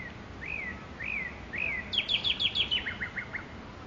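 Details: A nightingale in Makui park sings three slurred, rising-then-falling whistles, then a fast run of sharp, descending notes ending in a quick, lower rattle, over faint background hiss.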